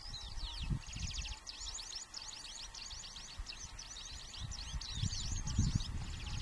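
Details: A Red-throated pipit at Mereto di Tomba, Udine, Italy, on 27 April 2014 gives a near-continuous run of thin, very high, sharp notes in quick succession, over low rumbling wind or distant traffic.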